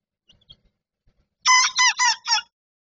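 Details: A two-and-a-half-month-old young rooster, heard crowing for the first time in the evening, gives a short, hoarse, broken crow in four rough bursts.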